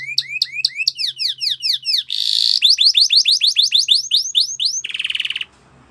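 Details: Training song from a canary: quick paired upward-swept notes, a brief buzzy burst, a long series of rising whistled sweeps, and a closing rapid churring roll before quiet.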